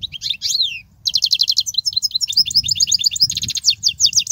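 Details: Song of the European goldfinch, played to teach young goldfinches: after a brief falling twitter, a dense, rapid series of liquid chirps and buzzy trills continues steadily to the end.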